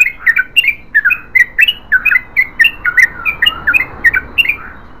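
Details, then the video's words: Long, chatty song of a Yellow-vented bulbul in 'ropel panjang' style: quick, slurred, bouncing notes at a brisk pace over a noticeable background hiss. "BURUNG TRUCUKAN GACOR ROPEL PANJANG"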